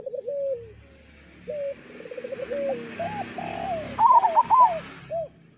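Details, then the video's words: Zebra dove master song for training caged local doves to sing; series of soft rolling coos and stuttering trills, rising to louder bubbly notes near the end. "Perkutut lokal gacor Suara Masteran Burung Perkutut Paling Ampuh"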